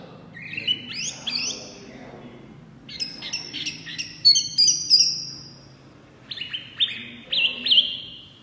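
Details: Loud, lively song of a small wambi white-eye: quick rising slurs, clusters of crisp high chirps and ringing whistles in bursts separated by short pauses, over a faint low background hum.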